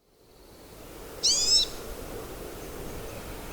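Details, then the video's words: Pine siskin (Spinus pinus), a North American finch, gives one high, buzzy, rising zreee call lasting under half a second over faint background hiss. "Pine Siskin Bird Sound Video: Finch Call"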